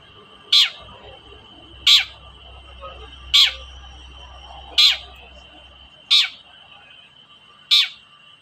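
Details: Long-tailed shrike call used to provoke reluctant shrikes into singing: a single sharp, harsh note repeated roughly every one and a half seconds over a steady background tone.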